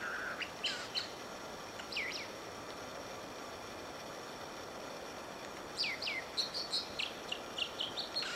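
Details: American dipper singing and dipping on Whisper Creek near Diamond Lake, Oregon: sharp high whistled notes and down-slurred phrases in short bursts early on, then a longer rapid run of notes after six seconds, over steady rushing creek water.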